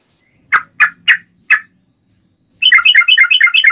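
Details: Yellow-vented bulbul in combative rapid-fire "nggaruda" style calling: four loud separate chattering notes, a pause, then a fast run of bubbly two-tone notes at a quick steady tempo.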